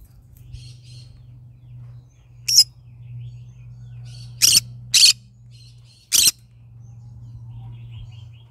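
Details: Yellow-sided green-cheeked conure kept as a pet, morning calling: scattered harsh, scratchy chirps, a single one, then a quick pair, then another, over a low background hum.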